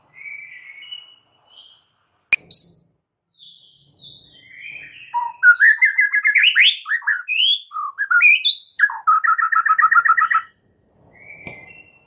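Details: White-rumped shama song played to prompt a silent bird to start singing; varied whistled and chattering phrases, a fast rattling trill of repeated notes around the middle, a sharp click near the start.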